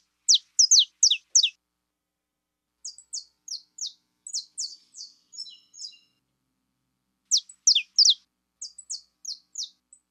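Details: Saffron finch of the fibra type singing a bright, high twittering song: quick bursts of sharp descending chirps, three or four at a time, with short pauses between phrases and no other sounds.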